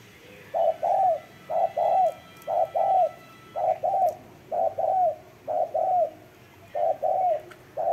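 A Spotted Dove coos in soft, low paired notes, a short hoot then a longer rolled coo, repeated about once a second with little else heard.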